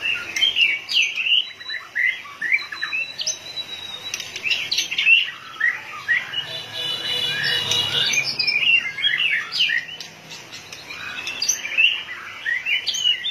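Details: White-rumped shama, described as fired up with its tail beating like a machine, gives a dense jumble of chattering whistles, squeaks and harsher notes. Phrases are packed together, and loudness dips briefly near the middle.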